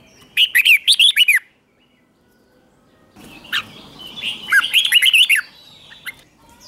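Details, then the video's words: Red-whiskered bulbul in a morning training recording of competitive singing, meant to stimulate birds to sing hard. Two bright warbled phrases of quick rising and falling whistled notes, each about one second, separated by a quiet gap. "Luyện chào mào hót sáng | chào mào hót đấu"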